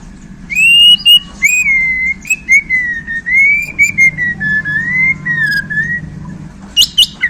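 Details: White-rumped shama from Borneo, kept in a cage and just handled, sings a chain of clear, pure whistled notes that waver slightly, ending in a few sharp high chips.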